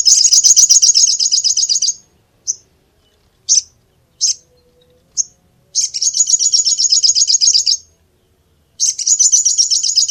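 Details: Little spiderhunter singing: a fast series of piercing high notes repeated about four times a second, then several single isolated chips, then the rapid series resumes twice; background otherwise quiet.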